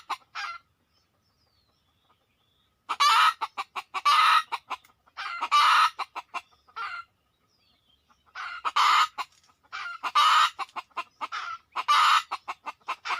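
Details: Red junglefowl answering a luring session: after a brief cluck and a quiet gap, long bouts of harsh, raspy squawks alternate with rapid sharp clucks, with pauses between bouts.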